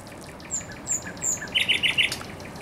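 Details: Thrush nightingale at the Żerań Canal in Poland, April 2022, singing briefly: three high drawn-out whistles followed by four quick chunky repeated notes.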